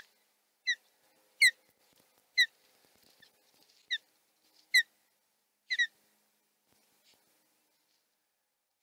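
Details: Osprey male defending its nest on a Chesapeake webcam in late April morning, giving sharp high whistled chirps, single or doubled, spaced roughly a second apart, clear over a quiet background.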